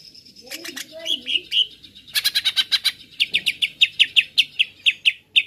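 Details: Lure song of a greater green leafbird meant to make listening birds agitated. Scattered high notes and a short warble give way to a fast, steady series of sharp chirps, about five per second.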